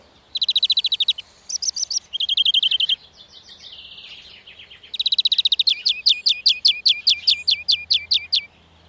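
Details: A European greenfinch at a garden in Ploufragan, Côtes d'Armor, France, gives high, rapid trilled twittering bursts, then a quick string of about ten sharp, downslurred notes. A faint low hum is heard near the end.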